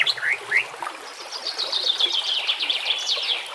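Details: Training recording of a white-rumped shama among nature sounds and trickling water: a few rising whistled slurs open, then a fast stream of sharp, high chattering notes, with a faint low murmur underneath.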